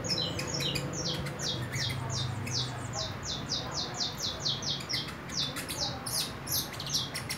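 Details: Saffron finch juvenile, four months old and beginning its nest moult, delivering a long string of high, downslurred chirps at a fast, uneven pace, with scattered sharper clicks and a soft background hum.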